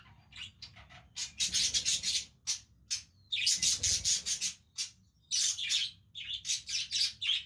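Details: Budgies playing together produce loud, continuous rasping chatter in long bursts of grating notes, broken by short pauses, with soft scratchy warbling in between.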